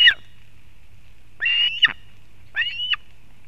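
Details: Osprey nest in Kurzeme, Latvia, 31 August 2024, female bringing fish to her chick: a short note, then two drawn, harsh whistled calls about a second apart.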